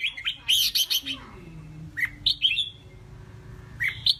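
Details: Red-whiskered bulbul, a caged songbird described as a passionate fighter fit for competition: a quick burst of bright chirps, then spaced sharp notes, with a faint low gliding tone and background hum.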